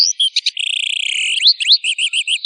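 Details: Long Tail bird song for training birds: a brief whistle, then a long high buzzy trill, two bright upward-sweeping notes, and a steady run of five short chirps.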